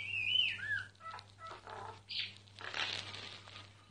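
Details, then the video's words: A myna sings undisturbed: a clear whistled note that bends downward, then a string of scratchy, chattering and grating phrases, with a low hum in the background. "Mynah singing"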